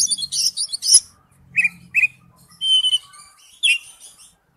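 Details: Oriental magpie-robin, wild-type forest song: a scratchy high burst, then short whistled notes and a long steady thin whistle, ending with a rich downslurred phrase.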